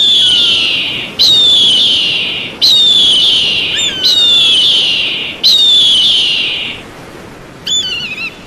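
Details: High, drawn-out eagle screams that fall slowly in pitch, repeated about every one and a half seconds, with faint lower sliding notes in between and a brief wavering cry near the end.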